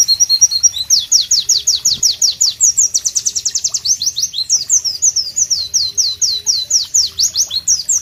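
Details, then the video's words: Loud, melodious song of a White-eye, known as Pleci in Southeast Asia, recorded in natural tropical surroundings: fast series of sharp, high downslurred whistles, clear and rhythmic, changing phrase partway through. "Masteran Pleci Bird Sounds Loud, Sharp and Melodious"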